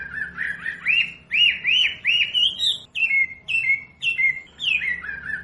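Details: Wambi singing, recorded as training material for caged birds: a series of clear arched whistles repeated about twice a second, then sharper downslurred notes given in a steady rhythm.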